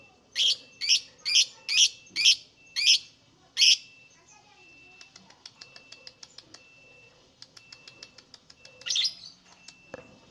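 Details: Lovebird singing, used to provoke other lovebirds into song: seven loud harsh shrieks in quick succession, followed by faint soft ticking and one more screech.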